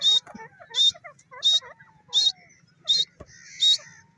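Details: Grey francolin giving a loud, harsh, high-pitched call, one strident burst about every seven-tenths of a second, six in all, over softer lower chattering notes.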